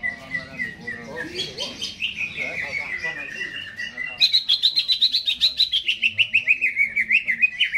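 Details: Caged Greater green leafbird, before hanging, singing a wandering whistled phrase that falls, then a long, loud, rapid trill of repeated chirps gradually descending.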